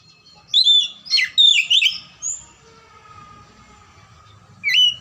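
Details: Oriental magpie-robin song used as a lure for lazy magpie-robins: a rich burst of varied whistles and rasping notes, then a lull, with one more whistled note at the end.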